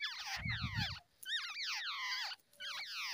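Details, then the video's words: Babbler babies being fed by an adult in the early morning; continuous overlapping squealing, down-slurred wheezy notes in noisy bursts, with a short low rumble near the start. "Babbler bird feeding babies in the early morning"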